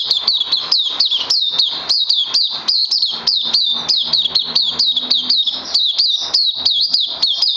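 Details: Caged oriental white-eye singing in the crazy LG style, recorded 31 May 2020 on its second day of supplements: an unbroken stream of high, sharp chirps, each sliding downward, pouring out several times a second without pause.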